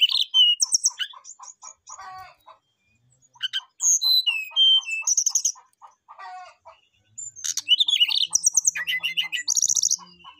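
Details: Brown-chested jungle flycatcher (Cyornis brunneatus) in full song, calling out a rival: a rich, varied run of high whistles, slurred notes and quick trills over a steady series of short, lower chips.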